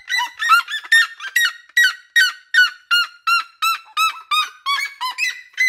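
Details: A red-legged seriema (Cariama cristata) sings in a backyard: a loud, rapid series of harsh, yelping notes, roughly two or three a second, each with a sharp rising-falling bark.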